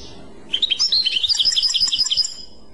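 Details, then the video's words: Short phrase of clochette-style European goldfinch song: a quick series of clear, ringing, bell-like notes repeated rhythmically for under two seconds, with quiet before and after. "تغريد كلوشات Chant Clochette"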